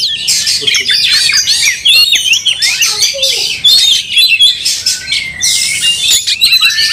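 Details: Angry Oriental magpie-robin in a fight, tail raised and spread, giving a dense run of high, rapid whistles, chirps and buzzy trills with little pause throughout.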